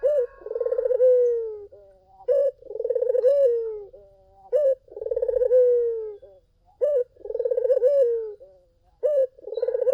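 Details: Collared dove in vigorous lure song for drawing other doves: four phrases of a short coo, a pulsed rolling coo, and a long falling note, repeated steadily about every two and a half seconds.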